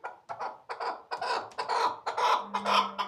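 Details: Chukar partridge at Shahritus uttering a short burst of loud, harsh clucking notes repeated at an even pace, several in quick succession.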